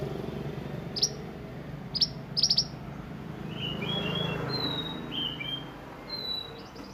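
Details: Sunbird singing in the energetic 'roll nembak' style used for tutoring other songbirds: three sharp high chips, then a quick double chip and a string of softer thin whistled notes at varied pitches.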